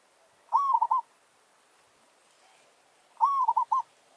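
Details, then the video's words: Village zebra dove calling as a decoy in a territorial duel with a wild forest bird: two soft cooing phrases, each a rising note followed by rapid staccato coos, about 2.7 seconds apart, in quiet surroundings. "Merbok kampung - Anggar buat hal..pijak tak jatuh. Burung hutan siap bagi tandang."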